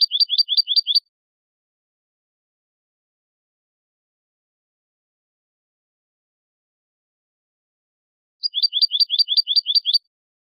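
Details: A European goldfinch, recorded as song for teaching young goldfinches and hybrids, gives two quick bursts of six to eight high, bright, clipped notes separated by a long silent gap.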